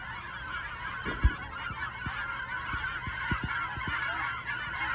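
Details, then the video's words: Canada geese from a 2023 recording, a dense, continuous chorus of overlapping honks forming a steady noisy wash, with scattered low thumps and knocks underneath. "Canada Geese"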